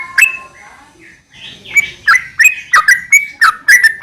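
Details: Sooty-headed bulbul in a long rapid-fire 'ropel' song, used as a lure to get other bulbuls singing. After a soft start come fast bubbly whistled notes, each dipping and rising, about three per second.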